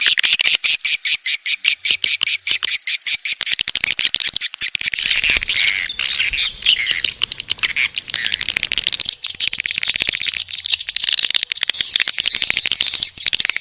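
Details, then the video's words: Swiftlet 'birahi' mating call used as a lure for a nest house, edible-nest swiftlet: long run of shrill, undulating chirps over dense clicking, steady and unbroken. "Suara Panggil Walet B1RAHI"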